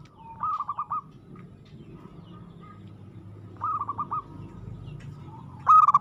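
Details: Aggressively singing local zebra dove: short phrases of four or five quick hooked coos repeated every few seconds, the last burst louder and brighter, over quiet low hum.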